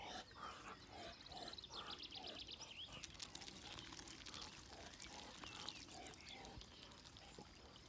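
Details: Friendly domestic Muscovy ducklings almost eight weeks old, likely one male and three females, give a rapid series of high, thin peeps, some rising and some falling, over a steady noisy background.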